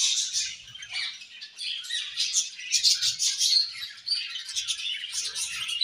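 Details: Budgies singing and chirping during play. A busy, overlapping chatter of shrill tweets and buzzy squeaks runs without pause and swells in louder bursts around the middle, with a few faint low knocks.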